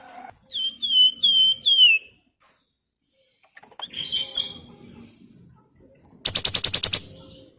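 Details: Javan fulvetta singing to coax other birds into song: a run of ringing whistled notes falling at the end, a quieter scratchy twitter, then a rapid burst of about eight loud dry clicks.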